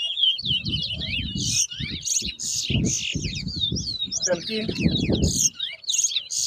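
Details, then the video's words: At a Bath Settlement, Guyana whistling contest in 2022, a towa towa (large-billed seed finch) delivers a dense stream of quick, looping high whistles and buzzy bursts while spectators chatter. "TOWA TOWA BIRD WHISTLING COMPETITION"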